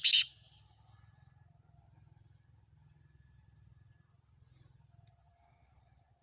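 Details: A sharp broadband click opens, then only a faint, steady low hum continues with no animal call.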